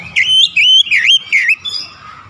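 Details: Oriental magpie-robin, played as a remedy for stressed birds: four clear wavering whistled phrases in quick succession, then a fainter softer note.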